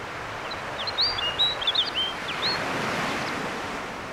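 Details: A male snow bunting singing on territory in summer on Grimsey Island, Iceland, among nesting seabirds, gives a brief, bright warbling phrase of clear high whistled notes, lasting under two seconds, over steady surf and wind.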